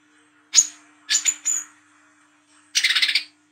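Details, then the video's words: Spotted 'wiceh trotol' sunbird recorded at night giving 'ngriwik' chatter, used as a lure for young coconut sunbirds: two sharp high chips, a short pair, then a dense buzzy rattling burst, over a faint steady hum. "KOLIBRI KELAPA WICEH TROTOL GACOR NGRIWIK NGLAGU MENTAL JAHAT/PANCINGAN KOLAP"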